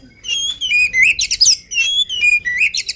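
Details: Agile oriental magpie-robin in vigorous song before feeding, a continuous run of clear whistles that slide up and down, mixed with short buzzy trills and rapid high twitters.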